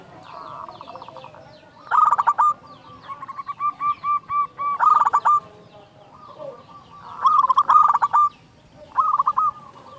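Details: Zebra dove of local stock singing, a lure to make other doves call: rapid rolling trilled coo bursts, with softer evenly spaced coo notes between them and faint background murmur.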